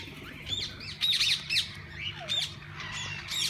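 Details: Parakeets in a walk-in aviary at a parrot zoo: loud, scratchy squawks and chirps in bursts, with softer swooping whistles and chatter between them, above a steady low hum.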